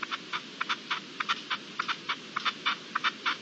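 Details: Partridge calling at dusk on 7 April 2022: a rapid series of short, harsh chuck notes, about two per second, moderately faint against a steady low background hiss.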